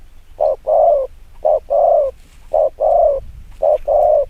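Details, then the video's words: Spotted dove giving a very fast 'chiêu gù kích bổi' coo, used to provoke wild doves. Each phrase is a short low coo followed by a longer rounded one. Four phrases come about once a second against a quiet background. "Tiếng chim quân tử chiêu gù kích bổi cực nhanh"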